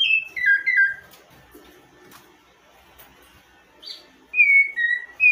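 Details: Rufous-bellied Thrush singing, a Brazilian bird: short clear whistled phrases of descending notes, a pause, then further fluting phrases returning near the end.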